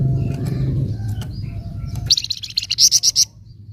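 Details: Flamboyan bird nyecret, used to excite untrained flamboyan birds: after a low noisy stretch comes a run of about ten quick, sharp, high chips, getting brighter toward the end.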